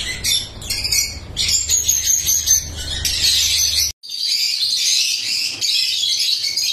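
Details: Colourful lovebirds kept at a breeding farm, many calling together in shrill, overlapping chirps and squawks; a low hum underlies the first part, then the recording cuts briefly and the bright chatter resumes.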